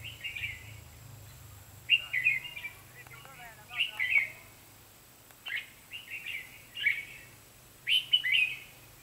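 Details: Red-whiskered bulbul singing during trapping on 23 October 2016; short lively whistled phrases every second or so with brief pauses, faint people's voices and soft clicks between.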